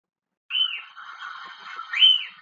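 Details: White-crested elaenia of central Chile, named for its song, giving two high, slurred whistles about a second and a half apart, each dropping after a bright start, over a softer background murmur.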